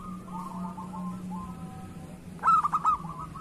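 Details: Local zebra dove used as a lure bird: soft, faint cooing at first, then a loud phrase of quick, clipped coos ending in a held note.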